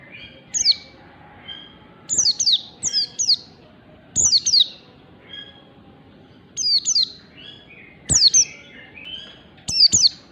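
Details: Oriental white-eye in a morning tutor recording for teaching other birds gives bright, high twittering phrases of quick descending and rising notes every second or two, with soft thin calls between.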